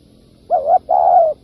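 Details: A single spotted dove phrase for luring birds into traps: a short rising-and-falling hoot followed by a long, steady mellow coo that sinks slightly at its end, set against a quiet background.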